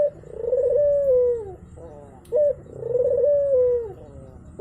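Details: Lure for a dove that has stopped singing: a turtle dove gives two long, slightly wavering coos that fall at the end. Each is followed by a short note, with a faint low hum underneath.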